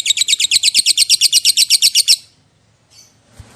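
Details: Lovebird delivering a rapid, even rattle of shrill buzzy notes for about two seconds, the ngekek style, then stopping abruptly, leaving near silence with faint soft sounds.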